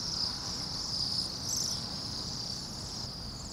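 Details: Part of a flock of about 200–300 Bohemian waxwings in noisy winter Anchorage at −8°F gives high, thin buzzy trills that overlap into a steady shimmering band, over a low background rumble.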